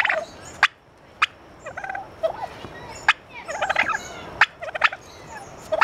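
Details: Turkeys gobbling at the San Francisco Zoo at Thanksgiving. Short, bubbling gobble rattles are mixed with loud sharp pops and clicks scattered through the recording, over a faint steady background tone.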